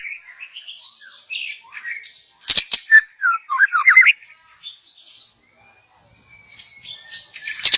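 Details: Young wild white-rumped shama from the forest, song meant as a lure; soft high chattering gives way to sharp clicks and a quick series of rising whistled notes, then a quiet thin whistle and fading twitters.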